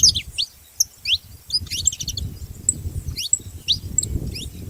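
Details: Saffron finch giving scattered high downslurred chirps and short trills, spaced about half a second to a second apart, against a constant low hum.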